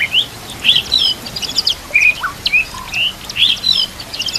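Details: White-rumped shama song meant for training murai batu birds: crisp high chirps and short whistled slurs, some dropping in pitch, delivered in a lively, uneven sequence.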